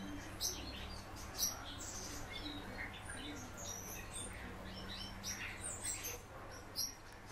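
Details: Common house martin kept as a caged pet, singing softly: sparse high chirrups and sharp clicky notes at irregular intervals, with a faint low hum and room noise underneath.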